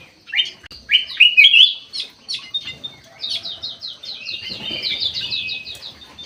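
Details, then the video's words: Captive bulbul, known locally as golden white-eyed, in energetic aviary song: a few loud swooping whistles early, then a long fast series of short repeated chirps. "KUTILANG EMAS MATA PUTIH SUPER GACOR"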